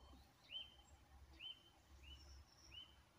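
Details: Eurasian Nuthatch singing in winter: four slow, separate whistled notes, each rising sharply then levelling off, spaced about a second apart, over a faint low rumble.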